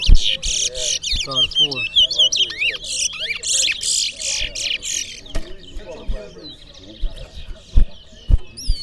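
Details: Seed finch known as towa towa singing in a Berbice competition: repeated buzzy bursts and rapid sliding chirps for about five seconds, then quieter notes, while a man calls out counts and sharp knocks sound.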